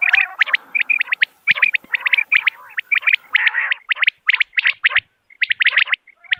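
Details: Quail calls (common quail) in a dense run of short, bright, clipped notes grouped in twos and threes. A low buzzy undertone sits under the first half, then brief pauses come near the end.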